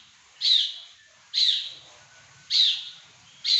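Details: Caged pekin robin kept as a prized songbird, giving four short, harsh, high-pitched bursts about one per second, each a brief raspy chirp, over a quiet background.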